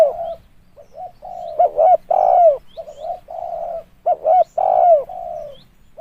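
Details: Lure recording of a spotted dove: low, throaty coos in rhythmic phrases, quick double notes followed by a longer swelling coo, given twice in six seconds with faint low hum behind.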